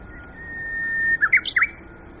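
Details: Japanese bush warbler singing in spring leafy woodland at Yokohama Nature Sanctuary: a long, steady whistled note swelling for about a second, then a quick rising-falling flourish of three or four sharp notes.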